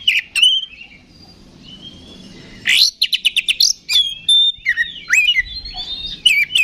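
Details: Oriental magpie-robin singing its ngeplong fighting song as a lure for rival kacer. A few whistles lead into a soft, hissy quiet stretch, then a fast burst of rattling notes and sweeping whistled phrases.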